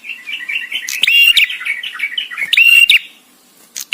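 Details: Male visiting bar-winged prinia singing: soft twittering chatter, then two loud buzzy phrases, each a steady high whistled note framed by harsh clicks, about 1.5 seconds apart.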